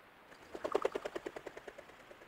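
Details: Belted Kingfisher calling, recorded by a trail cam at water level on a mostly drained old beaver pond in central Alberta: a harsh, dry rattle of about fifteen rapid clicking notes, loud then slowing as they fade, over a quiet background.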